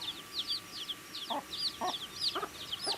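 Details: Chicks peeping continuously as they eat, high sharp downward-sliding chirps overlapping, joined by low soft clucking notes in the second half.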